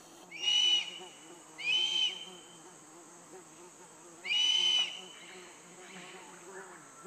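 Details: Black-collared hawk in Pacaya Samiria reserve, Peruvian Amazon jungle, gives three drawn-out, high squealing calls, each under a second, against a steady insect drone and a low hum.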